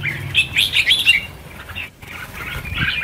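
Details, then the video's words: Red-whiskered Bulbuls from a release of about 1000 birds: a burst of bright chirps and warbled notes, a short lull, then fainter chirping resumes with soft rustling. "Phóng sinh 1000 con chim chào mào - chào mào căng lửa"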